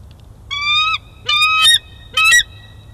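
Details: Bald eagles in Big Bear Valley on 12-5-22 during a juvenile's food theft: three loud, high whistled squeals in quick succession, the second ending in a harsher cackling note, over faint low background rumble.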